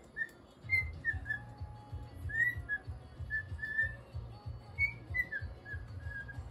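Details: Pet cockatiel, happily singing its own version of Funiculì, Funiculà: a string of clear whistled notes, some short, some slurred, rising and falling in a tune-like phrase, over a steady low hum indoors.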